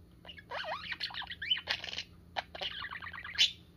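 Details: Pet parakeet playing with its owner's fingers, a sign of love and trust: busy twittering chatter of short rising and falling chirps and trills, with a sharp high squeak near the end.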